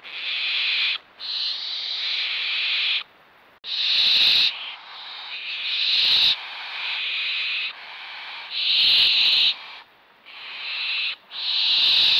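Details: Young barn owls on a perch being fed, giving long harsh rasping hisses, each lasting about one to two seconds with short gaps, repeated through the clip, loud and close.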